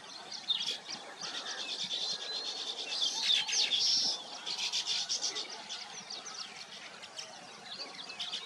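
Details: Nesting weavers chatter in a high, scratchy chorus that swells to a loud burst of squeaky twitters mid-way, then thins to scattered chirps.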